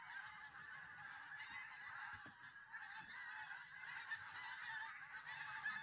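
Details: Large flock of geese on the Solway Firth at Southerness, Dumfries, southern Scotland, a dense continuous chorus of overlapping honks and yelps without pause.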